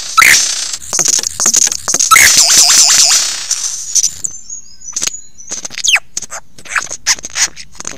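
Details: Lyrebird performing close up at Ben Ricketts on a November 2022 morning at 9 AM: rapid clattering clicks and a dense, buzzy wash of high notes. Scattered sharp whistles and chips follow.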